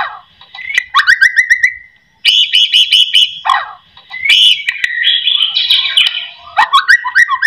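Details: White-rumped shama song used as a lure to make other, lazy shamas start singing: varied loud whistled phrases, some rising and falling, with sharp rapid chips and buzzy trills, broken by a brief pause.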